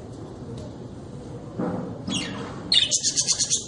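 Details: Caged budgerigar, a small parrot-family bird, builds from soft rustles into a quick rhythmic string of about six bright, high, scratchy chirps, evenly spaced at the close.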